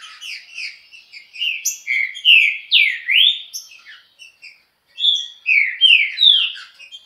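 A Green-winged Saltator delivers a fast run of loud, clear whistled phrases, slurring up and down at high pitch, with only a short pause between the two bursts.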